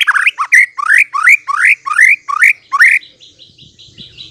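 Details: White-rumped shama lure song meant to make birds respond: eight rapid rising whistled upslurs with sharp overtones, about three per second, then a softer run of high ticking notes.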